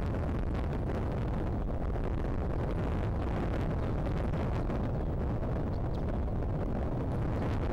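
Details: Dense, steady roar of wind and low rumble fills the whole stretch, with no animal voice heard.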